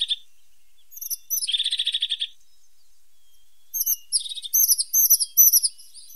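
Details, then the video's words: A pointed (sharp-nosed) tit calls: high, thin chips, then a fast dry trill of about a dozen notes, followed by a run of sharp, bright chirps over a quiet background. "The sound of a pointed tit 's voice"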